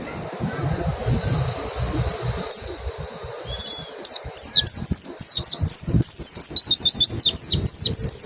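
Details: Mountain white-eye in 'nembak' song, used to stimulate singing: quiet at first with isolated high notes, then an accelerating series of rapid, high, down-slurred chirps that grows louder and denser toward the end.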